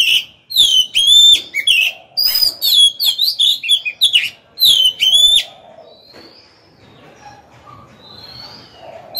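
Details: Caged Oriental magpie-robin decoy singing to provoke rival birds to fight: a rapid run of loud, varied whistled and harsh notes over about five seconds, then near silence with faint soft whistles and low background hum.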